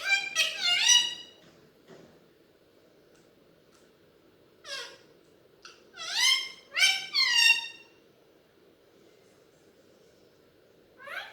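Alexandrine parakeet giving harsh, harmonic-rich squawks and word-like phrases in short bursts separated by pauses, indoors with a low background hum.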